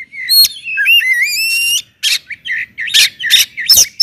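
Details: Loud kacer, the Oriental magpie-robin, singing to provoke other kacer; a sustained wavering whistle with overtones opens, followed by short harsh chattering bursts and sharp notes in quick succession.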